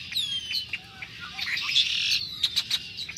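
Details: Red-winged Blackbird flock recorded in early March 2010, birds calling and singing; thin falling whistles and squeaky notes over a constant chatter, with several loud sharp chips near the end.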